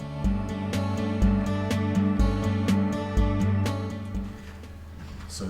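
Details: Strummed acoustic guitar music with a steady beat and no animal sounds.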